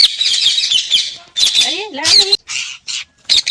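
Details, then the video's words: Talking parrot mixing harsh raspy squawks with a short voice-like phrase of rising and falling tones, then clipped squawk bursts. "parrot sounds/parrot talking"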